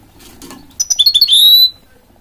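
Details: A hybrid goldfinch-canary mule sings a brief phrase of about six rapid pulsed chirps that run into a sustained, slightly rising high whistle.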